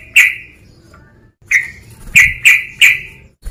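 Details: Male sooty-headed bulbul calling to provoke a rival: one sharp ringing note, a pause, then four more clipped notes about a third of a second apart, with a faint low rumble in the background.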